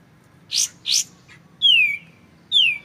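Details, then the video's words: Tutor recording of a clear-voiced White-shouldered triller for magpie-robins: two harsh buzzy rising notes followed by two long, clean whistles falling in pitch. "MASTERAN kapas tembak suara jernih"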